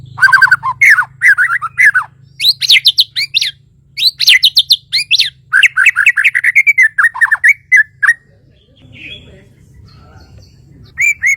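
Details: White-rumped shama from Kalimantan, Borneo, delivering a long, rich sequence of loud varied whistles, chips and slurred phrases in rapid bursts, then a quieter pause before a final short phrase; steady low hum throughout.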